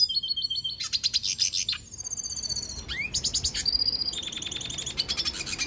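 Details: Venezuelan goldfinch in continuous song, a rapid stream of high twittering trills, buzzy rattles and rising slurred notes with barely a pause, close and clear against quiet background.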